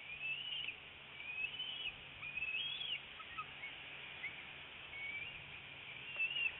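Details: At a northeast Florida nest on 25 February 2018, mid-morning, a bald eagle mother feeds her young eaglet a fish; a series of high, thin rising whistles, about six spread over several seconds, with a low steady hum beneath.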